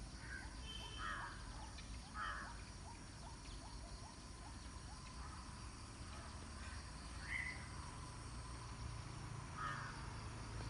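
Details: Lesser whistling duck family giving short whistled calls, four in ten seconds, over a run of soft, quick ticking notes, with a steady low rumble of wind or distant traffic underneath.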